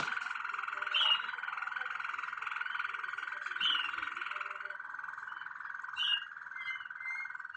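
A Waterslager canary sings one long, low, rolling trill that bubbles steadily, with brief brighter chirps breaking in every few seconds.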